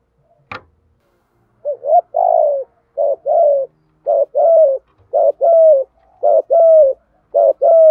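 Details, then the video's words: Spotted doves, male and female, cooing to prompt other doves to answer: a sharp click, then a regular series of double coos, short then drawn-out and falling, about once a second. "chim cu gáy tập bổi và luyện mồi mỗi ngày, chim ra nhiều bài giúp bổi gáy theo nhanh nổi nhất"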